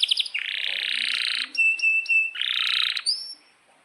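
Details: Singing canary with a long rolling song: two harsh buzzy stretches separated by a clear level whistle repeated in short pulses, closing with a thin rising note.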